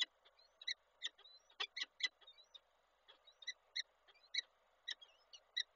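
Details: Peregrine falcons in Koszalin, 27 April 2022, as the male delivers breakfast to the female: scattered harsh chipping notes, some in quick doubles, mixed with faint thin squeaky tones over low background hum.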